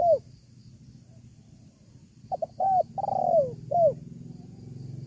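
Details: Spotted dove cooing, played to call in wild doves: one complete phrase of clipped notes, a long rolling coo sliding down, and a short final coo, with low background rumble.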